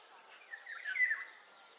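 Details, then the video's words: Eurasian golden oriole singing one brief fluty, whistled phrase that rises then drops, centred in the clip against quiet background noise. "Cantec de grangur - Eurasian Golden Oriole song"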